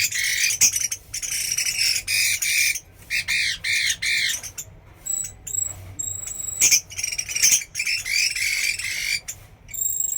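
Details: Chinese hwamei from Da Lat singing loud, rich phrases of ringing whistled notes and harsh squawky bursts, broken by short pauses, with thin high tonal chirps between phrases.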